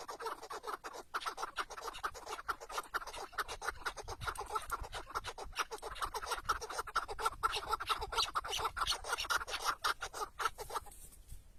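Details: Tethered chukar partridge used as a hunting decoy outdoors, calling in a long run of rapid, rough clucks, roughly two a second or faster, ending abruptly into quiet.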